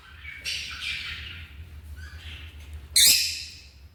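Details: African lovebird calling: harsh, buzzy squawks with a loud, sharp burst near the end over a low background hum.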